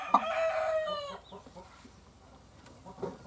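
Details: Hen calling while laying an egg: one loud, drawn-out harmonic squawk lasting about a second, then soft, scattered clucks and a short, sharper note near the end.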